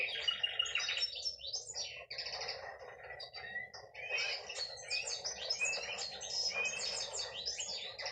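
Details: Hen canary singing in bursts: clusters of sharp chirps and sweeping whistles, a short gap near two seconds, then fuller trilled phrases rising and falling.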